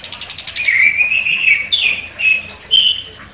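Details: Chestnut-capped thrush, a contest champion singing sharply: a burst of rapid high clicking notes, then a chain of clear whistled phrases that slide up and down, with short pauses between the whistles.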